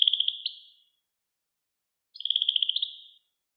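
European goldfinch giving two brief, rapid, high trills of evenly pulsed notes, each under a second, separated by a short pause; nothing else heard.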